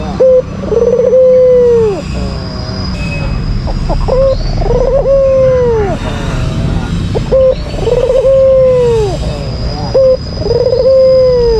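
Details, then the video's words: Calling white Barbary dove, albino, meant to provoke a rival: four cycles of a brief flat note leading into a long falling coo, separated by fluttering softer notes, with background noise and some faint voices. "Pancingan bikin emosi lawan, Albino Gacor !!!"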